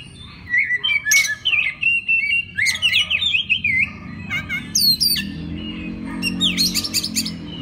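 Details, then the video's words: Oriental magpie-robin song used as a master recording to train other magpie-robins: varied whistled phrases, sliding notes and sharp rising sweeps in a busy stream, with a low hum underneath. "isian master kacer. suara kacer"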